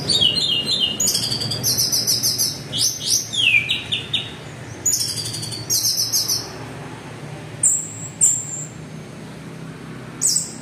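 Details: Orange-headed thrush (anis merah) in 'teler' style song used as a trigger for other thrushes; strings of fast repeated high notes and descending chirp series, loudest at first, fading to sparse sharp calls.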